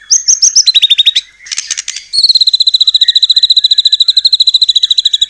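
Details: White-rumped shama in full, constant song, used as a lure to get other shamas singing. High harmonic notes at first, then a long fast trill of repeated bright notes pulsing several times a second.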